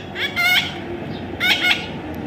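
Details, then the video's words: Young parrot during taming, uttering two pairs of scratchy, nasal squawks about a second apart, with a low background hum. "natural funny parrot sound"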